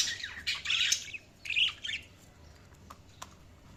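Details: Budgie chirps: a short, hoarse, high twittering burst and a second scratchy phrase, then near silence with a few faint clicks.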